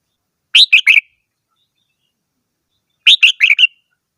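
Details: Red-whiskered bulbul delivering two cheerful whistled phrases of three and four notes, falling in pitch, with a pause of over two seconds between them; no other sounds.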